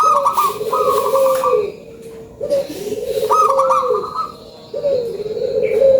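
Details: Lure call of a local zebra dove (perkutut lokal): repeated rolling, trilled coo phrases ending in drawn-out notes, roughly every two seconds, with noisy background and distant chirps.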